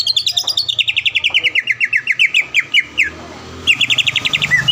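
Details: Champion caged greater green leafbird from the Palembang area in a training recording. A long, fast series of sharp chipping notes slides gradually downward, pauses, then bursts into another rapid chattering run.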